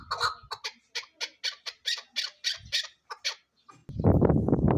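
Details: Female chukar partridge calling: a rhythmic series of about a dozen harsh clucking notes, roughly three per second, followed by a burst of loud broadband noise.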